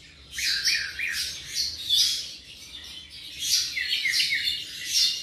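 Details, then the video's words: Young tropical mockingbird, about seven months of age, singing phrases of rising and falling whistled slurs and squeaky notes, grouped in repeated bursts separated by short gaps. "Cenzontle tropical (mimus gilvus)"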